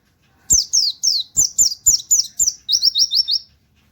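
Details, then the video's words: White-eye tutor song, 'nembak wit wit kenari' style: eight evenly spaced, shrill descending whistles, then four quick rising notes ending the phrase. "pleci nembak wit wit kenari cocok buat masteran"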